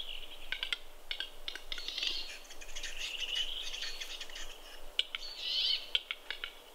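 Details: Fighting western capercaillies at their lek, Kuusamo, Finland, May 2021, snowy ground: rasping hissy scrapes swelling and fading between scattered sharp clicks, louder near the end.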